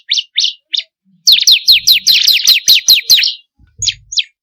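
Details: Bar-winged prinia song, a lure recording for captive birds: three separate high notes, then a rapid series of about ten sharp downslurred chips, ending with two more isolated notes.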